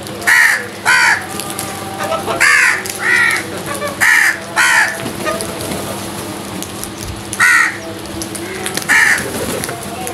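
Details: Rapid harsh caws from crows fighting over food, mostly in pairs, about ten loud rasping calls with a pause midway, over a steady low hum.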